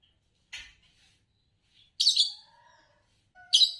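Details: Green Fischer's lovebird, a champion of Indonesian bird song competitions, giving three sharp, high chirps spaced about a second and a half apart, each a bright burst with faint lower tonal traces after it.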